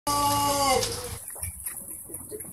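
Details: A white Pelung rooster from Garut gives a drawn-out, richly harmonic crow that slides downward before breaking off.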